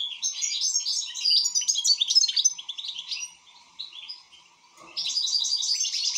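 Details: European goldfinch in full song. A long, rapid stream of tinkling, twittering notes fades into a pause, then a fresh burst of chatter starts.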